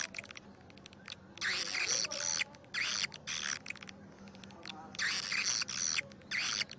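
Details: Karindanga-style swiftlet call played as a lure for swiftlet houses. Clusters of harsh, buzzy twittering come in bursts lasting half a second to a second, about twice a minute's worth per second, with brief silences between.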